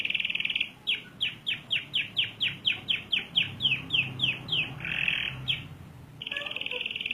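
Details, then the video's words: Canary in full long rolled song: a short buzzy pulsed trill, then a long series of sharp high downslurred notes at about four per second, a harsh buzzy burst, and a return to a fast buzzy roll. "Suara burung kenari gacor ngerol panjang"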